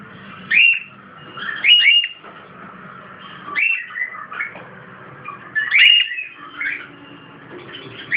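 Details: Pet cockatiel kept in a cage, able to climb onto a hand, giving short whistled chirps that rise and fall, in about four bursts spaced one to two seconds apart, with quiet room noise between.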